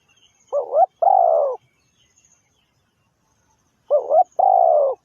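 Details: Decoy spotted dove in a trapping setting giving two identical two-part coos about three and a half seconds apart. A quick wobbling note leads into a drawn-out, falling croon, with silence between phrases.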